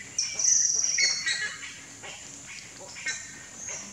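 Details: Young buff-necked ibis in the nest: a long, thin, high whistled call with a strained, harmonic tone for about a second, then fainter, shorter squeaky calls over low background hiss.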